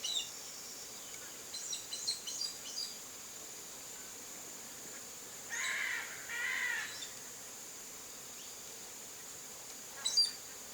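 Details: Chestnut-eared aracari visiting a backyard in Brazil's Cerrado, giving two harsh, raspy calls about a second apart, with scattered faint chirps from other birds and a steady high insect whine throughout.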